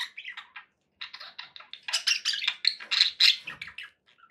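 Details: Happy budgies chattering: quick rapid-fire chirps and buzzy syllables, pausing briefly, then building into a louder, denser warble before fading.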